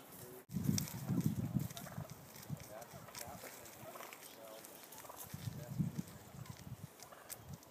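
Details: Battling wild turkey males, California central coast: two clusters of deep, rapid pulsing notes, one early and one near the end, separated by quieter low rumbles.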